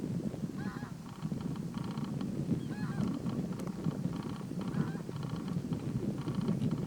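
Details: Red-necked falcon at Little Rann of Kutch, Gujarat, India, recorded in January 2020, giving grating, buzzy notes in a series of short bursts, some with a quick wavering inflection, against heavy wind noise.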